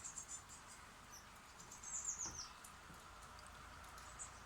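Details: Baby birds in a front-porch birdhouse near Steinalben, Germany, being fed by two adults; a few high, thin chirps, then a quick cluster of sharp descending squeaks mid-clip over constant hiss.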